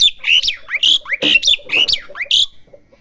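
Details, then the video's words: Young Asian pied starling practising song, a rapid mix of clear rising whistles and rasping squawky notes packed into about two and a half seconds. "jalak suren belajar bunyi"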